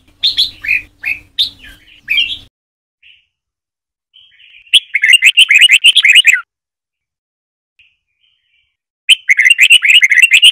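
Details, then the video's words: Red-whiskered bulbul singing a Trà My-style song with a long bubbling phrase, used to train young white-cheeked birds to learn the song. Three short whistled notes, then two rapid warbling bursts of rising and falling notes separated by pauses. "Chào Mào Trà My SỔ BỌNG DÀI .Luyện Chào Mào Hót Giọng Trà My Cực Hay, Ép Má Trắng Học Giọng"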